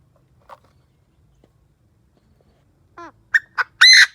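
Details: Decoy Chinese francolin calling to provoke wild birds: near-silence with a faint note early on, then a stepped rising note, two quick sharp notes and one loud, harsh, buzzy call at the end.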